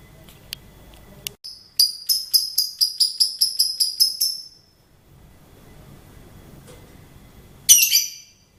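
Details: Songbird giving a rapid run of about twelve crisp, bell-like high notes over two and a half seconds, followed by a pause and one final harsh, scratchy burst.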